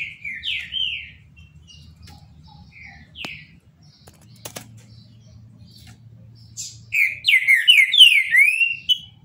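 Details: Green-winged saltator (trinca-ferro) kept in captivity, singing the Paraná style: short slurred whistled phrases with pauses and a faint click, then a louder, faster run of rising and falling whistles near the end.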